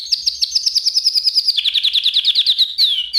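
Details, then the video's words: Canary song lesson for training other canaries: a fast, high trill of about a dozen notes per second drops to a lower rolling trill, then ends in a falling whistle. "kanarya için ötüş dersi"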